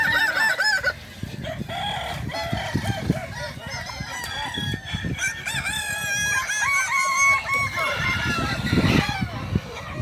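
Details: Balenggek roosters competing in a crowing contest at Danau Bawah, Solok Regency, on 6 October 2024; several wavering, multi-note crows overlap almost without pause across the ten seconds, amid dense crowd noise.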